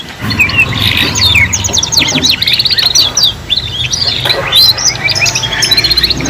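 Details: Three juvenile canaries learning song together: a busy tangle of rapid trills, descending whistles and sharp chirps, continuous throughout, over a faint low rumble.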